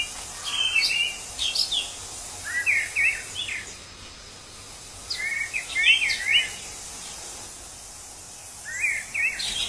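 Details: Wild orange-headed thrush pouring out varied phrases of warbled, slurred whistles and high chips, in bursts separated by short silences, with a continuous high background hiss.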